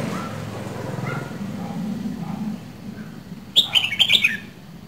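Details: Red-whiskered bulbul, two seasons old, from Dak Lak, Vietnam: low murmuring background sounds, then one brief, bright warbled phrase of several quick, rising and falling notes near the end.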